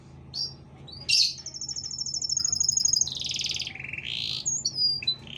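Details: Canary singing a long, lively song with short pauses, used for tutoring or provoking other canaries: a high fast trill opens, then a long sustained buzzy trill dips lower before bright whistled notes close.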